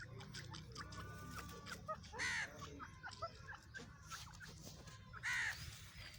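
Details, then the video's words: Female francolin (teetar) calling: two loud, harsh, ringing calls about three seconds apart, over a low steady hum and faint chirps from small birds. "teetar sound || teetar voice || teetar ki awaz || irrani teetar ki awaz"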